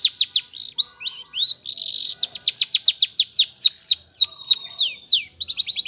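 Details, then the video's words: Long-tailed shrike in energetic song: quick, varied, downslurred whistles and buzzy notes delivered in rapid, uneven bursts, some notes very high and thin, with brief pauses between phrases. "BURUNG CENDET / PENTET GACOR"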